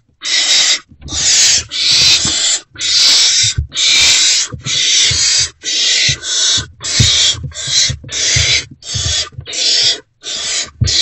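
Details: Great horned owl owlets in a nest box, still unfed, reacting to an adult's return before dawn on 3 March 2024: harsh, breathy hissing screeches, about twelve bursts in eleven seconds, each roughly half a second long.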